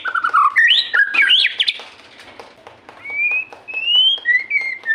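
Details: White-rumped shama (murai) in full song: fast, tumbling whistled notes at first, then long, clear, thin whistles that rise and fall, with rapid clicking behind them.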